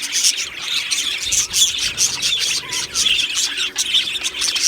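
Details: Budgie colony in an aviary, a flock of these Australian parrots giving bright, high chirps and scratchy warbles in quick overlapping bursts, loud and unbroken throughout.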